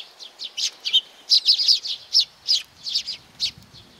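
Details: Sparrows arriving to be fed at Tenmangu shrine, Nakanoshima, June 7 2020: about a dozen crisp, high chirps in irregular quick succession over four seconds, some doubled, against quiet background.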